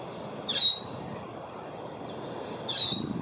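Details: Asian glossy starling calling in Singapore on 4 September 2021: two short, sharp, high whistled notes about two seconds apart over steady background hum.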